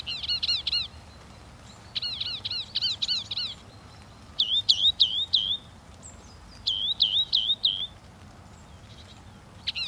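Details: Northern mockingbird repeating high, sharply inflected whistled notes in tight groups of three to five, with the note shape changing between groups and short pauses.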